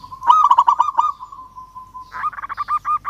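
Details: Calling a rival, a local zebra dove gives a rapid rolling trill that settles into a long steady coo, then breaks into a fast run of clipped, rising-falling pulsed notes.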